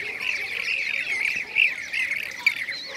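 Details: A chorus of blue-cheeked bee-eaters from Şanlıurfa, Turkey, 2016: soft, rolling, burry notes run together continuously, with a couple of sharper, louder calls breaking through.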